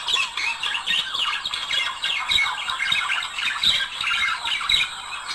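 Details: A pair of budgerigars, kept as pets, sing to stimulate singing and mating: dense, continuous warbling chatter of scratchy squawks and fast twittering notes, with no pauses.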